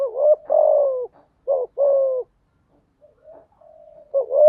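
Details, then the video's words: Spotted dove decoy song for training newly caught birds: rapid repeated coo phrases, each a wavering short coo followed by a longer, falling one. The phrases come in close succession, then a soft sustained note, then cooing resumes. "Chim Cu Gáy Mồi/ tiếng chim gáy dùng tập chim bổi mới hiệu quả/ tiếng gáy kích bổi gáy ngay"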